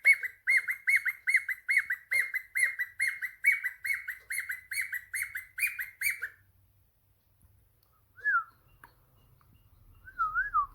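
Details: Cockatiel kept as a pet, answering a phone call: a fast regular series of chirps for six seconds, followed by a couple of single wavering whistled notes after a quiet gap.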